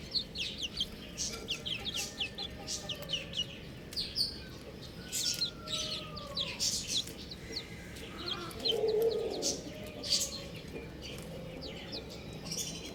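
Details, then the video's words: Many chicken chicks peeping together, high thin chirps repeated rapidly and overlapping, with a few longer sliding whistles mid-clip and a soft low rumble beneath. "Adorable Chick Sounds | Amazing Chicks Chirping Sounds"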